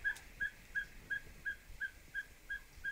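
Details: Ferruginous pygmy-owl in a tree in Riviera Nayarit, western Mexico, giving a steady series of short, clear whistled toots, about three per second, over soft hiss, while hummingbirds mob it.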